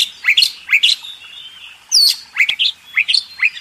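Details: Oriental magpie-robin master song for contest birds: sharp rising chip notes in pairs, with a loud downslurred whistle in the middle.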